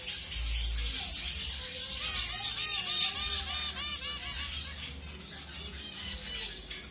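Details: Colour-mutation zebra finches being paired with a new mate: a run of nasal, harmonic beeping notes with arched pitch, loud at first, then a sustained high whine and fainter chirps.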